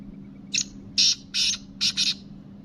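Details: Black francolin (kala teetar), described as the kabotra type, giving a harsh, grating phrase of five high rasping notes: a short first note, two longer buzzy ones, then two quick notes close together, over a steady low hum.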